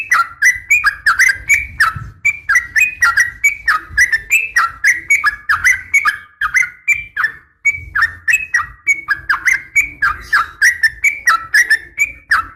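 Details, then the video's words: Continuous bubbly chatter from a female yellow-vented bulbul calling to a male. Swooping whistled notes are repeated rapidly for over twelve seconds, with one short break. "KICAU SUARA trucukan gacor"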